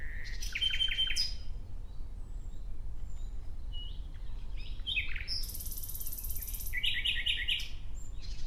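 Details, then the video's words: Nightingale singing in a natural setting: varied phrases of fast trills, a sustained buzzy high passage and rapidly repeated clear notes, separated by pauses, over steady low background rumble. "Relaxing clear sound of Nightingale"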